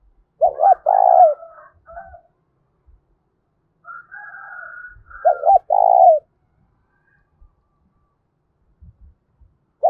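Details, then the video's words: Fighting call of a spotted dove, loud hollow coo phrases of two quick notes and a longer falling note, given twice with a pause of about four seconds, and softer higher notes between. "Tiếng chim cu gáy thúc bổi rất to và vang/ cu gáy thúc đấu"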